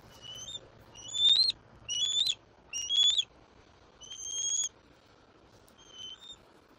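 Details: Juvenile bald eagle at a Southwest Florida nest, squeeing nonstop while claiming a whole fish its father delivered, 7 April 2024. Thin, high whistled squeals come in short bursts, several rising slightly and separated by brief pauses.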